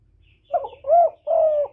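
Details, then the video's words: Spotted dove cooing continuously to lure and stimulate other doves, recorded without background noise: a short opening note, then two longer, steady, mellow coos, each slightly rising and falling, with no other sounds. "CU GÁY LIÊN TỤC KÍCH BỔI RẤT HIỆU QUẢ"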